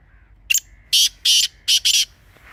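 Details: Grey francolin (teetar) call, offered as a calling sound for hunting: a run of five loud, harsh, broadband notes, the last two closely paired, each about a third of a second long, over a quiet background.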